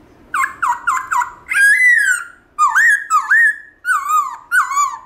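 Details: Wild-style 'forest voice' song of a Black-throated laughingthrush, played to encourage caged birds to sing: four quick whistled slurs followed by long, loud, swooping whistles that rise and fall, with brief pauses between phrases.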